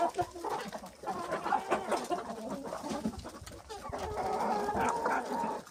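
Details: Hens and roosters pecking at white food, a busy chorus of overlapping clucks and purring murmurs, several birds calling at once in a steady rapid patter.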